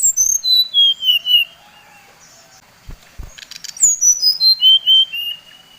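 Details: Brown-chested jungle flycatcher of the Bali type, used as a lure song to provoke rival birds: clear whistled notes stepping down in pitch in a quick series, a pause with soft clicks, then another descending run of pure whistles.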